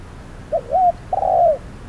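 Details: Trapping decoy spotted dove on a hot midday. A single phrase: a wavering, slurred coo followed by a longer steady hoot that drops in pitch at its close.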